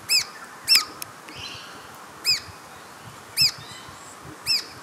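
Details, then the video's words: A Red-browed finch (Neochmia temporalis) at Carnarvon Gorge, Queensland, Australia, at 18:00 on 20 July 2019, gives five short, high, thin arched calls about one second apart, with faint softer chirps between. "Red-browed Finch"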